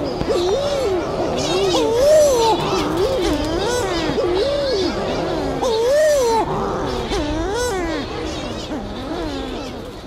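A shearwater gives wavering, moaning, wailing calls that rise and fall in repeated loops, with several birds overlapping in a steady chorus.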